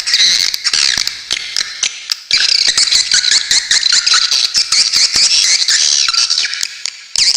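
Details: Swiftlets in a tutor recording with sharp 'besetan' notes for teaching cage songbirds. Nonstop shrill twittering: rapid high chirps run together into a buzzing chatter with brief clicking gaps.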